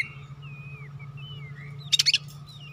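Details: Oriental magpie-robin singing softly: a string of thin slurred whistles, then a brief harsh chattering burst near the end, with a constant low background hum.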